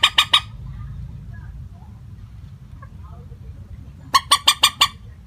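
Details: Common moorhen lure call used to trap birds, with no tonal variation: a short run of three harsh clucks at the start, a quiet stretch with low rumble, then five quick rasping notes near the end.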